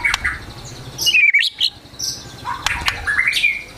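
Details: Agitated White-rumped shama song (gacor emosi) with besetan and mimicked sogon and kunti notes: loud ringing whistled slurs, a brief pause, then sharp clicks and clear rising whistles.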